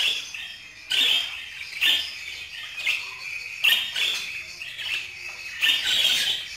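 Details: Budgerigar chatter of harsh, buzzy bursts arriving every second or so, some longer raspy warbles mixed with short squawky notes.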